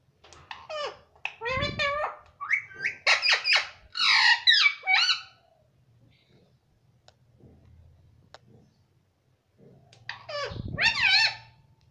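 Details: Pet parrot, tagged as a green ring-necked parrot, trained to say "mummy" and "papa," chatters in quick, squeaky, voice-like syllables that rise and fall, then a few seconds of quiet before a last burst of imitated words.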